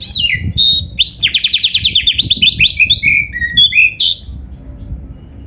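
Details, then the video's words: Oriental magpie-robin in full 'gacor isian' song: sweeping whistles, then a fast run of repeated clipped notes, then varied slurred phrases ending in a brief loud chirp and a quiet pause. "suara burung kacer gacor full isian"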